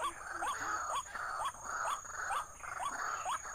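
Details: Ruak-ruak, the white-breasted waterhen, called in to a trap, giving upward-sweeping kook-like notes roughly two per second, partly masked by a rushing wash and a constant high whine.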